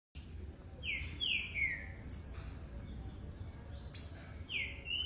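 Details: Young green-winged saltator singing: a few long, clear slurred whistles, each falling in pitch, spaced about a second or more apart over a steady background hiss and low rumble.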